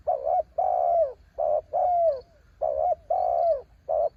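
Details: Spotted dove singing in strong wind: repeated hollow coo phrases, short notes alternating with longer downslurred coos in a steady rhythm, over a low rumbling wind noise.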